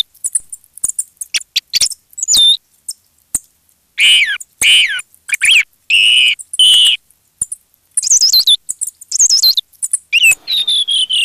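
Redwing giving a rapid mix of thin high chirps and squeaky, warbled phrases with falling whistled notes, in bursts every second or so; several recordings layered together.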